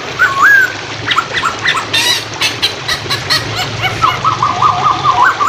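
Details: Hwamei training song over flowing water: an opening slurred whistle, a burst of splashing clicks, then a fast run of short wavy whistled notes repeated in quick succession.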